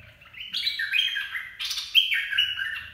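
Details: Caged red-whiskered bulbul singing a dok taeng song, used to train young birds and lure others: bright whistled phrases stepping down and up between mid and high pitch in two loud bursts, with a faint low hum beneath.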